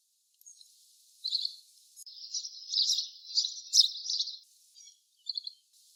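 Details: Little green bee-eater giving a run of high, nasal, trilled chirps that merge into a continuous chattering trill for about two seconds, followed by a few short trill bursts.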